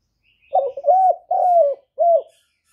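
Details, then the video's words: Spotted dove with a standard voice, used to lure doves when trapping. A single clear phrase: a broken opening note, two sustained mellow coos and a shorter final coo, with near silence around it. "Cu đất giọng hạp Bổi, Cu Gáy gây ức chế, tiếng cu dùng mở khi đi bẩy, cu gáy giọng chuẩn, cu đất gáy"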